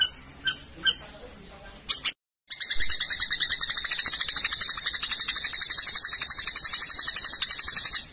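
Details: Long-tailed shrike, known locally as cendet or pentet, in a master recording for training contest birds: scattered short chirps, a brief silence, then a long harsh, buzzy, rapidly pulsed 'tembakan' burst that holds steady for over five seconds.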